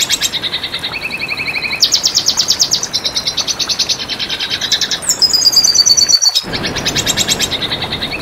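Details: Red siskin singing in a tutor recording: a long, varied medley of high, rapid trills that switch pitch every second or two. Buzzy, lower-pitched rattles are mixed in, with a short gap before the final trill.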